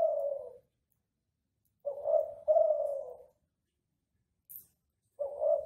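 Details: Kelantan ringneck dove from Central Java cooing as training material for other doves, two-part coo phrases with long silent gaps between, a faint high click near the end.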